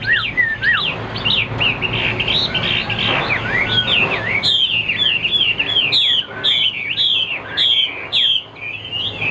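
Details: Big-bodied caged Chinese hwamei, kept as a good singer that fans its feathers in fights, pours out varied clear whistles and descending slurred notes, later broken by sharp, emphatic bursts repeated about once a second, with a faint hum behind.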